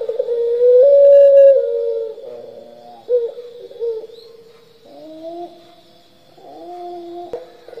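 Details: Puter pelung turtle dove giving a long drawn-out lure call: sustained, steady mid-pitched coos with a gliding lift near the start, then shorter lower coo phrases, with a faint constant high tone in the background.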